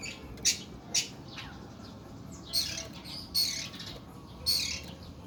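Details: Oriental magpie-robin of the Kuku Bima type, said to sing long, harsh bursts ('nembak'); five rasping, broad, noisy phrases spaced about a second apart, the later ones longer and scratchier, with a low steady background hum.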